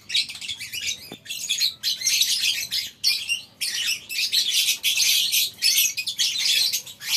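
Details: Morning at a lovebird breeding farm with a colony cage: a dense chorus of many lovebirds gives shrill, high chattering and squeaky chirps in bursts with brief lulls.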